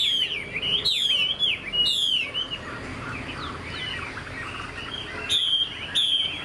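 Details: Young caged Chinese hwamei said to sing well, giving loud ringing whistled phrases that slide downward, repeated about once a second, interspersed with softer twittering notes.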